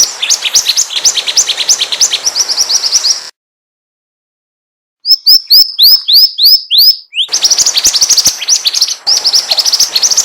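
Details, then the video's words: Pied triller song used as a lure to draw other birds close: dense, rapid high chirps and twitters, then a silent gap, then a series of clear upslurred whistled notes, then renewed busy chattering. "SUARA PIKAT MASTERAN BURUNG MANTENAN GACOR"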